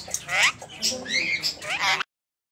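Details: A female rose-ringed (ringneck) parakeet talking, chattering in a high, squeaky, speech-like voice for about two seconds, with rising and falling warbled syllables.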